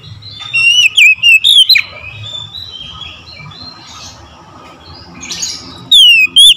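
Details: Oriental magpie-robin singing in the morning: a rapid phrase of loud whistled notes early on, a quiet stretch of soft bird chatter, then another loud whistle that begins a new phrase at the end.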